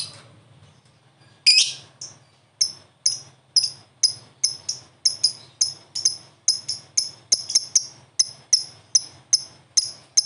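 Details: Lovebird, a prospect bird, answering another lovebird: sharp, very high chipping notes repeated roughly every half second after a quiet start, with a faint low hum underneath.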